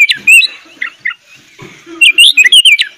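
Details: Sooty-headed bulbul in energetic full song with fill-in phrases, used as a master recording for young bulbuls: bright whistled notes sliding around the same pitch, with a pause and soft low rustling before a second quick burst of rising and falling whistles.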